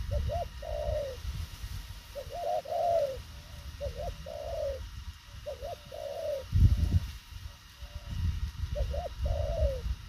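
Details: Fast-cooing spotted dove, thổ khàng type, repeating a brisk phrase of two clipped notes and a longer falling coo about every two seconds, with steady low-frequency background noise and one thump.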